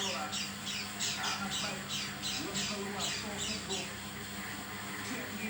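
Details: Oriental white-eye calling strangely: quick squawky, rasping notes about three per second, uneven in rhythm, against a constant low hum.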